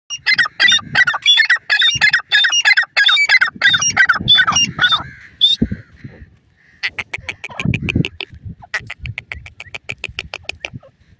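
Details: Grey francolin, known locally as koti teetar, on open ground: a loud series of about a dozen harsh, rapidly repeated notes, a brief pause, then a second fast run of sharp clipped notes with low rumbling background.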